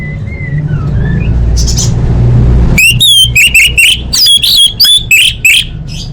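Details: Orange-headed thrush singing for bird-training masteran: soft whistled notes at first, then an energetic run of loud, quick, ringing phrases repeated about three times a second, with steady low hum behind.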